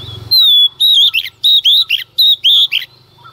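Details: Female Oriental magpie-robin singing in the early morning to stir males into song: loud, clear whistled phrases that rise and fall, about seven bright notes in quick succession, over a faint low hum.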